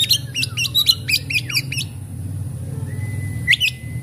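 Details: Oriental magpie-robin, offered as a lure to restart a stressed bird's singing, gives a rapid run of seven or eight sharp upward-flicking chirps, then a pause and a long steady whistle with one chirp, over low hum.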